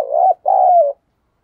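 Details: Single urging coo phrase from a spotted dove decoy bird: a short coo and then a longer coo easing slightly downward, followed by silence.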